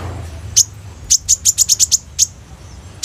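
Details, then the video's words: Kolibri ninja sunbird recorded on a phone as a lure for training other birds: sharp, very high chips, first a single note, then a quick run of seven, spaced about a fifth of a second apart, with a faint low hum beneath. "SUARA BURUNG KOLIBRI NINJA GACOR FULL ISIAN TEMBAKAN MEWAH"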